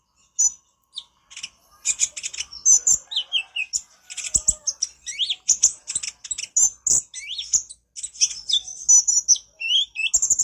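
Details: Konin, the brown-throated sunbird, singing a busy, talkative nyrecet chatter meant as a training master: dense runs of sharp high twitters and buzzy downslurred notes, almost continuous over ten seconds, with faint clicks behind.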